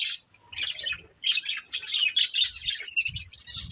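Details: Budgerigars, a breeding pair, chirping: busy overlapping chatter of scratchy warbles and short squeaky chirps, nearly continuous with brief gaps.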